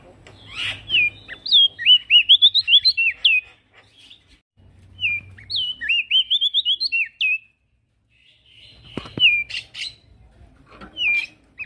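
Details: Energetic male prinia song, used as a training track for other birds: two fast strings of rapid, evenly spaced looping whistles separated by short silences, with scattered chirps afterwards.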